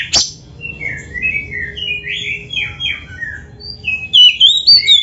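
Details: Master song of an Oriental magpie-robin for caged-bird training: a sharp click, then soft, varied warbled phrases that end in a louder burst of high, sliding whistles.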